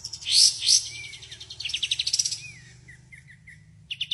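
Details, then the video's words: White-shouldered triller delivering 'tembakan' song: two loud rasping bursts, soft slurred whistles, a rapid rattle of clipped notes, then scattered short chirps over a steady low hum. "NGGAK NYANGKA BURUNG INI TEMBAKANYA MANTAP‼️"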